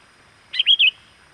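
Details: Sooty-headed bulbul call played to lure wild birds closer: three quick, rich whistled notes, the last two rolling and slurred, a crisp phrase with a faint steady hiss behind.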